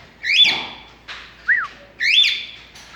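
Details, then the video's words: Pet cockatiel conversing with its owner indoors: a bright, slurred whistle twice, each followed by a short rising-then-falling whistled note, at a calm steady pace. "Having a conversation with a bird"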